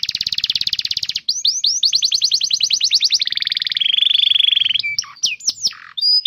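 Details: Domestic canary in full song, used to train young canaries to sing: a long buzzy trill, swooping notes, dense rapid rolls sinking lower, then scattered swooping whistles.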